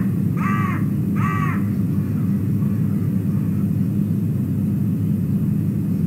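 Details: Loud raven voices at an osprey nest camera site in Wales as the male osprey departs: two rough, throaty croaks close together near the start, then only faint traces under a constant low rumble.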